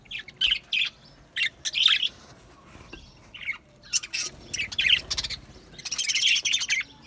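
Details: Budgerigars, Australian parrots, singing: bursts of high, scratchy chirps and warbles that come in uneven clusters with brief quiet gaps, growing into a denser chattering run near the end.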